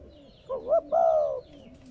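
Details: One spotted dove coo phrase, used to stimulate captive doves to call: two brief soft rising notes, then one longer, steady, low mellow coo, over quiet background hiss.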